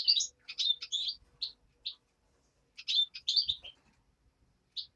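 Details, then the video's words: Nestling European greenfinch calling in two bursts of rapid high chirping notes, separated by a pause of about a second, then a single call near the end. "Птенец зеленушки"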